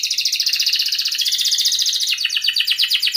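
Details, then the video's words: Canary in full, long singing, used as a prompt to get young learning canaries and silent canaries to sing: a rapid, even run of high chirps repeated nearly three times a second, shifting into a sweeping trill near the end. "kenari gacor panjang Cuit Cuit EMOSI, Pancingan Kenari Paud Belajar Bunyi, terapi AMPUH Kenari MACET"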